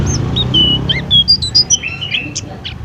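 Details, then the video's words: Food-stall pleci produces sparse, piercing whistled notes, some held briefly and some sharply flicked. Soft background rumble. "masteran pleci full isian"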